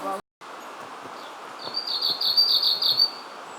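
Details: A Japanese leaf warbler (Phylloscopus xanthodryas) at Oze in mid-August, toward evening, when the birds come close to people, sings a fast, rhythmic run of high, buzzy notes for about a second and a half; a brief human voice at the start.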